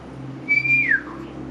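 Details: A Black-naped Oriole in the urban secondary-forest habitat of the Davao Carbon Forest, Bago Gallera, Davao City, Philippines, gives one clear, fluty whistle that holds level, then slides downward at the end, over a quiet background hum.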